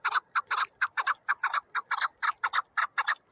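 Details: Chukar partridge producing crisp, clicking chuk notes, often in pairs, repeated at a brisk, uneven pace throughout.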